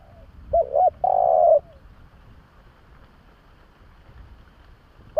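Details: Spotted dove calling, used as a lure to attract doves: two short rising-falling coos then a long steady coo around 600–800 pitch, with a low soft note after; quiet background.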